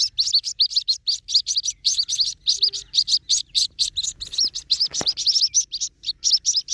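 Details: White-breasted waterhen chick giving high, thin peeping notes in a steady rapid series of about four per second. Each note is short and slightly slurred, and the series runs throughout, with a brief soft tap near the end.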